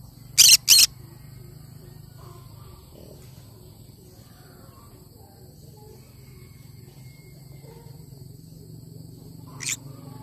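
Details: Cinnamon green-cheeked conure giving two quick harsh screeches in rapid succession, a long quiet stretch, then one fainter screech at the end.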